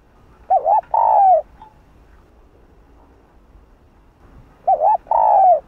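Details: Calling spotted dove, Hạp Bổi voice style, used to provoke other doves: a quavering double note then a long soft descending coo, repeated once after about three seconds of silence.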